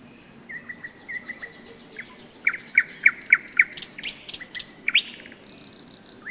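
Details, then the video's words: Nightingale singing on a May day during a rest stop on a hike along the Seversky Donets in thunderstorm season: soft whistled notes, then a series of loud, sharp repeated strokes and high bursts, varied and rhythmic. "Майская трель соловья"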